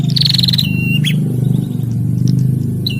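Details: Bar-winged prinia pair, male and female, calling back and forth: a fast buzzy trill followed by a flat whistled note and a few sharp chips, heard over a loud, steady low mechanical hum.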